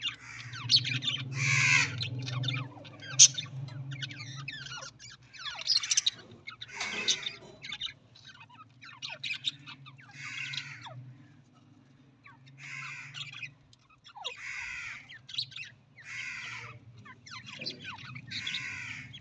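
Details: Breeding budgerigars give harsh, scratchy squawks and chirps in short bursts every couple of seconds.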